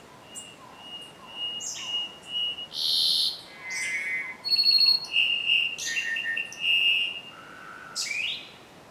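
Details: Cuban solitaire, Myadestes elisabeth, singing near a karst rockface at Cueva de los Portales, Cuba, on 28 February 2017 around 11 am; loud, close song of clear whistled tones, ringing metallic notes, buzzy bursts and quick rising slurs over a quiet background.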